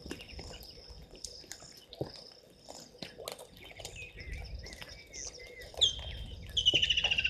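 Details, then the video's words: White-faced whistling ducks calling at Gowrie dam, Djuma Game Reserve, South Africa, 17:52 on 02/12/2023; soft slurred whistles rising and falling, then louder pulsed whistle bursts near the end, amid low rumbling noise and high insect chirps. "White-faced Whistling Ducks"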